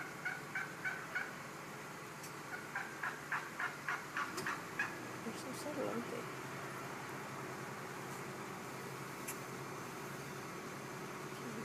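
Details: Wild turkeys, three males strutting on a lawn to impress a single hen that marches off, give rapid, clipped, rattling notes, about three to four a second, in two bursts over five seconds, then a steady low rumble.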